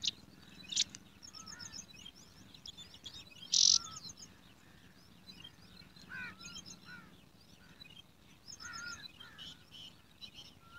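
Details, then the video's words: Hungry sparrow chicks in a nest in a garden, fed by a parent, giving quick series of high, ticking chirps and twitters, with one loud harsh burst early on and softer downslurred calls. "Hungry Sparrow chicks"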